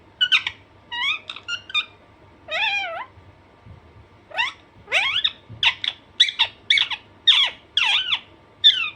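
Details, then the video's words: Harsh, downward-sweeping squawks from a pet Alexandrine parakeet, scattered at first, then repeated roughly twice a second toward the end, with a faint hum and a few soft thumps. "Alexanderine naughty parrot/parrot natural sound"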